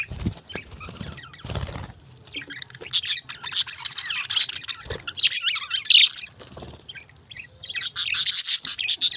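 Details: Budgies chirping peacefully; dense overlapping high twittering and chatter that builds in bursts, with scattered low thumps and rustles.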